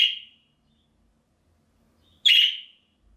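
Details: Budgerigar contact note for recalling an escaped bird: a short buzzy chirp, a quiet pause, then a second, louder, slightly rising scratchy chirp.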